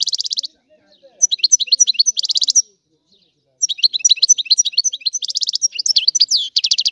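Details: Goldfinch from Sicily singing the rare 'antico' style: a buzzy trill, then a silent pause of about a second, then a long run of bright twittering notes with repeated rattling buzzy trills.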